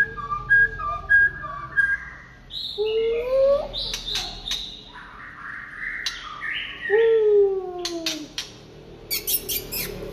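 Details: Late-afternoon singing by a white-rumped shama, starting with repeated paired whistled notes, then rising and falling slurred whistles, a strong descending whistle, and clicks toward the end.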